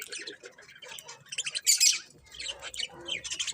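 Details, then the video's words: Budgerigars, colourful pet birds, keep up a dense run of high, raspy chirps and squeaky warbles, with one loud shrill burst in the middle. "Cute Colourful Budgies Chirping Sounds"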